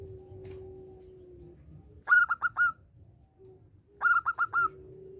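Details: Vigorously singing local zebra dove whose song serves to provoke other doves to sing; two bursts of four or five crisp, ringing coos, about two seconds apart, over a low steady background hum.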